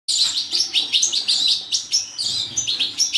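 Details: European goldfinch of subspecies major, bred in captivity, singing a fast, continuous twittering song of bright, tinkling and buzzy notes, dense phrases following each other without pause.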